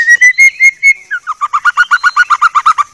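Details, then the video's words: White-rumped shama song for tutoring: five clear, slightly rising whistles, then a fast run of about sixteen rich, repeated lower notes, loud and clean. "Masteran Murai Batu Paling Jernih"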